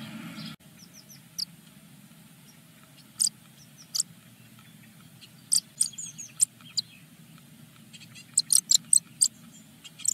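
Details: Eurasian blue tit nest in Germany with a brood from ten eggs; during the first morning feeding, the first chicks give sharp, very high, thin chirps in short scattered bursts over a low steady hum.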